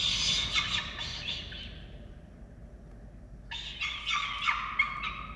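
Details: Harsh, squawking falcon calls at a nest in Orange, Australia, while chicks are fed on 13 November 2022. A burst of noisy calls fades out, then after about two seconds of quiet a second rasping burst begins.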